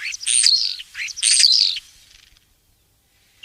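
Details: Common starling song: two short bursts of mixed whistles, squeaky notes and buzzy rattles, each under a second long, separated by a brief pause. A faint new note begins at the very end.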